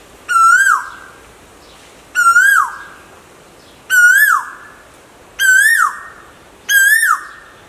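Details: Five ringing whistled calls of an Asian koel, with male and female birds said to be calling. Each note climbs, peaks and falls off sharply, evenly spaced roughly every one and a half seconds.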